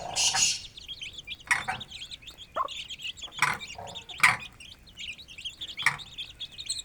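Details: Aseel hen and chicks feeding freely in an open village yard; a continuous overlapping peeping of many chicks, high and slurred, punctuated by sharp pecking or scratching bursts.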